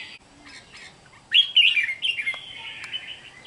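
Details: Wild-caught red-whiskered bulbul, recorded 8 June 2023: a few soft chirps, then a loud bright warbled phrase of slurred whistles gliding downward, trailing into a quieter wavering note.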